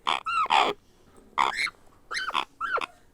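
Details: Grey parrot hatchling begging while being hand-fed: harsh, nasal, harmonic squawks with rising-falling inflections, given as a doubled burst then three shorter calls over about three seconds, with little background noise.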